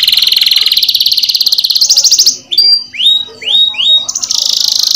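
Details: Canary in full song for prompting other canaries, a fast buzzy high trill that climbs, then several separate rising slurred whistles, ending in another rapid trill.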